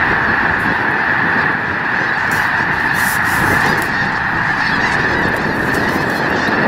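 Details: Over a million snow geese gathered at Loess Bluffs National Wildlife Refuge on a fine day, 21 February 2020, produce a dense, unbroken roar of overlapping honks, with a few sharper calls rising above the din.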